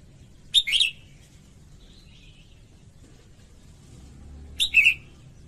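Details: Female red-whiskered bulbul singing to rouse males, two short whistled three-note phrases about four seconds apart, quieter, with soft warbling in between and a low background hum.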